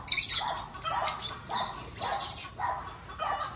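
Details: Breeding lovebirds in an aviary keep up a scratchy, chirping chatter, with short rasping calls repeated roughly every half second and a few brighter shrieks.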